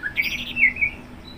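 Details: Orange-headed thrush (anis merah) singing one short, high warbled phrase with quick wavering notes that settle into a brief clear whistle before fading.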